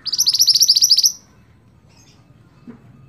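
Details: Scarlet-backed flowerpecker in persistent song for teaching cage songbirds: one quick, high, buzzy trill of closely repeated notes lasting about a second, then near silence with a soft low knock.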